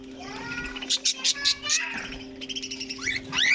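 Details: Colony budgerigars housed alongside cockatiels: a burst of short, raspy squawks, then upward-sweeping whistled chirps near the end, with a constant low hum underneath.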